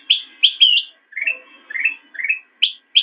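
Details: Master training audio of a black-crested bulbul for cage birds: loud clear sharp whistles alternating with lower rolling, slurred warbled phrases, all in quick succession over a quiet background.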